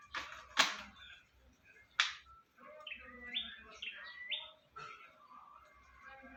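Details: A wild bird whose call is likened to the words "Jokowi, Jokowi" repeats rising, stepped whistles in quick series after two loud sharp knocks, with quieter chattering notes between.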